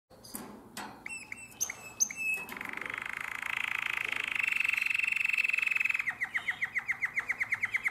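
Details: Nightingale-voiced song style of a domestic canary from Drama, Greece, recorded in 2017: scattered chirps and rising whistles, then a long, dense buzzy trill held steady, then a fast series of pulsed notes repeated several times per second.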